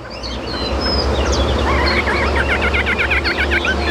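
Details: Caged Chinese hwamei kept as a songbird, singing in the high 'cao cầu' style: a fast run of looping, repeated notes, about six per second, over a steady loud low hum like an engine, with scattered higher chirps.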